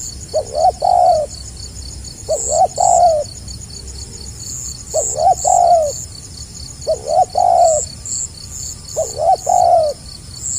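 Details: Spotted dove cooing in the stammering, tight-spaced gagap rapat selang nguku style, five phrases at about two-second intervals, each a paired stutter and a longer descending coo, with a steady insect chorus.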